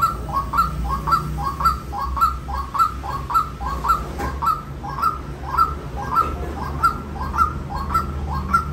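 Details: White-breasted waterhen giving a steady series of short, hoarse, slightly downslurred notes, about two every second, over a low continuous hum.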